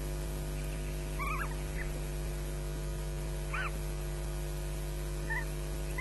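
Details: Young ospreys begging for food on their Loch Garten nest, 22 May 2012 at about 09:56, an adult nearby; two louder, wavering shrieks a few seconds apart with fainter short notes between, against a steady mechanical hum from a nest camera.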